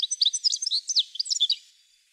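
A European goldfinch sings a fast, tinkling run of high twittering notes and liquid trills for about a second and a half, with no other sounds.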